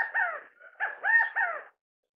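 A California quail gives loud, nasal, slightly hoarse notes. After an opening pair comes a three-part phrase whose middle note is the highest and loudest.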